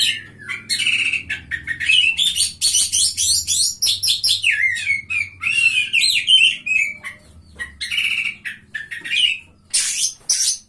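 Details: Prize-winning Oriental magpie-robin, placed third in a singing contest, pours out a long, continuous stream of twittering, slurred whistles and rising and falling notes, with low humming in the background.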